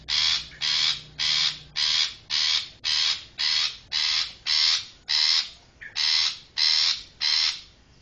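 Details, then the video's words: Trapping lure of a long-tailed shrike: around thirteen grating, buzzy notes in a fast, slightly uneven rhythm, each note harsh and noisy. "Mp3 Pikat Suara Burung Cendet"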